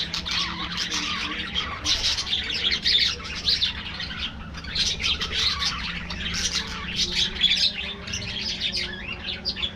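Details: Budgerigars in an aviary feeding in the afternoon, a flock chattering nonstop with overlapping warbles, squawks and quick chirps, bursts swelling and fading over a low background rumble.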